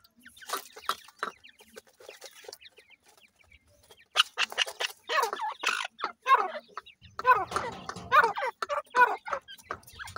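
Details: Grey francolin chicks, loud and close, pouring out rapid bursts of short slurred chirps, roughly seventy a minute and irregular, growing denser in the second half, with scattered clicks.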